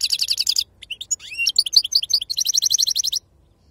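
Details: European goldfinch in wild 'khalwi' sarfati song: a rich buzzy trill, a rising slurred whistle, clear liquid notes repeated about five times per second, then another steady buzzing trill before falling silent.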